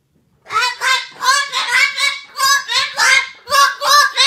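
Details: Parrot described as hysterical, screaming in the morning: loud, harsh, buzzy squawks with a rich ringing tone, repeated about every half second without a break, indoors.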